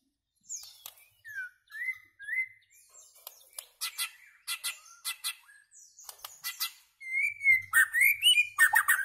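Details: White-rumped shama song with chirping: short slurred whistles repeated every half second, followed by rapid trains of sharp ticking clicks and a closing burst of fast, rising, rich warbled phrases.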